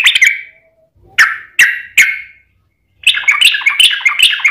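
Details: Yellow-vented bulbul singing as a lure to draw replies from other bulbuls: a few separate sharp descending notes spaced about half a second apart, then a burst of rapid jumbled chattering.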